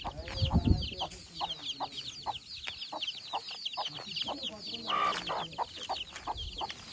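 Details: Baby chicks ranging free with their mother in the countryside give continuous shrill cheeping, many overlapping peeps per second, joined by a few low hen clucks and a brief louder squawk midway.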